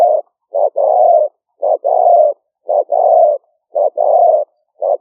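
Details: Live smartphone recording of a spotted dove's liu fueang lure call from Roi Et rice fields, Thailand, rainy season 2021; a steady rhythm of brief coo followed by a drawn-out hollow note, repeating roughly every second.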